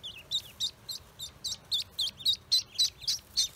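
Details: Freshly hatched Pekin ducklings on a farm peep steadily: about a dozen high, shrill, downward-bending cheeps in quick regular succession, nearly four per second, with a quiet low rumble beneath.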